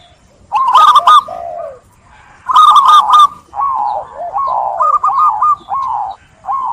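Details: Zebra dove song with two loud bursts of fast, trilled coo notes, each followed by drawn-out, downward-sliding softer coos. The phrases run almost continuously after the opening pause.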